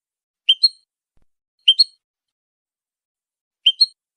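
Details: Goldfinch song used to train other songbirds: three pairs of short, bright, high chirps, each pair a quick double note, spaced about one to two seconds apart over silence.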